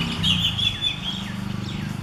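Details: Orange-headed Thrush, a summer migrant nesting in south Gujarat forests and heard April–June, sings clear, flute-like whistled phrases, some sliding downward, over a steady low rumble.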